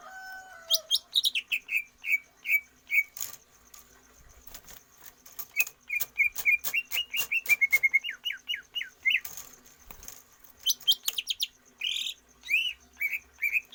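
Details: Stamina training of a caged greater green leafbird, done without free-flight exercise for longer breath: low whistles, then long runs of quick repeated chirps broken by sharp clicks, with a brief burst of higher slurred notes near the end.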